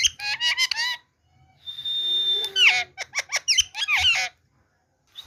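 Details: Rose-ringed parakeet talking, said to voice the phrase "Miya Mitho": a burst of harsh, stacked syllables, then a long steady whistle, followed by quick squawky notes with sharp falling and rising glides.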